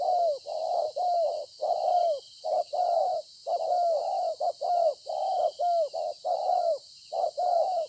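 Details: Wild-caught spotted dove from the fields, recorded 26 September 2020, cooing well: rapid paired mellow coos, a short note then a longer slurred one, repeated almost continuously, over a steady high insect hiss.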